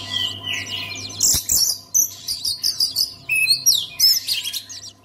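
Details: Oriental magpie-robin song played to make other magpie-robins sing: varied high whistles, sweeping slurs and rapid chattering notes in quick bursts, with a steady low electrical hum beneath.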